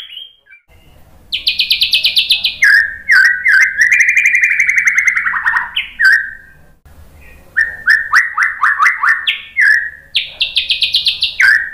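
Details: Provocation song of the white-rumped shama: bursts of high buzzy trills alternate with rich, loud whistled phrases that wobble and slide downward, followed by a series of clipped, rising, repeated notes.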